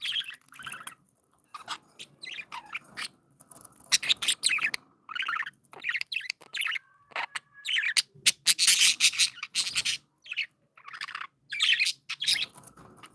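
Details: A flock of happy, playful budgerigars kept as pets chatters continuously, mixing warbled twitters, clicks, a short whistled tone and loud raspy squawking bursts, with brief gaps of near silence.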